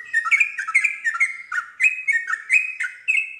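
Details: Yellow-vented bulbul, a kept bird, singing in rapid chattering phrases of bright warbled notes that slur up and down, strung together continuously with short pauses; played to draw other bulbuls into answering song.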